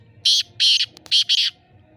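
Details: Black francolin calling in Bhiria City in 2022: four harsh, grating, high bursts in a quick rhythmic phrase, paired two and two, over faint low background noise.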